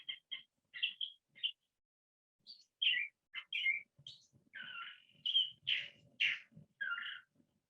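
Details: California Thrasher, a male, singing a varied song that borrows pieces of other chaparral bird songs: clusters of sharp, slurred chirps and burry, scratchy phrases, each different from the last, with brief pauses between groups.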